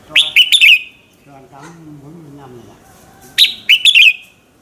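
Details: Red-whiskered bulbul morning song, used as a lure to stir other birds to sing: two bursts of four to five loud, clear whistled notes sweeping down, separated by a quiet gap with faint low background hum.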